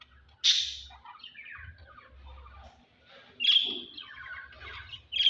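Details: Lovebirds during mating time: loud shrill squawks at about one and three-and-a-half seconds and again at the end, separated by quieter chattering, buzzy twitters and short chirps.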